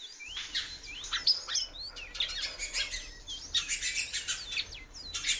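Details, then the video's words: A female great-billed seed finch calls repeatedly, giving short curved whistles that rise or drop, some in quick pairs. They come between dense patches of crisp ticking and rustling noise. "FÊMEA DE BICUDO PIANDO MUITO"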